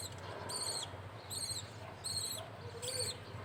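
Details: Budgerigar chick being fed by a male budgie; four harsh, high, buzzy begging notes come in even succession over a faint low hum.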